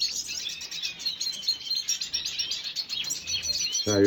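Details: Red siskin, recorded 5 June 2022: busy high-pitched twittering and short chirps run without pause, then a sudden loud low thump or handling noise cuts in at the very end.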